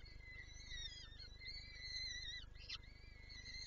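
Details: Peregrine falcon in Lublin, Poland, 23 April 2024, the female wanting to feed her chicks. Long, level whistled whines are broken by one brief harsh call near the end, over a steady hum.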